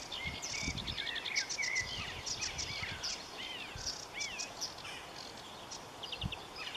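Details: A migratory marsh warbler of dense waterside vegetation sings a jumbled, chattering song of clicks, trills and looping upslurred whistles, with a few louder rising notes in the middle.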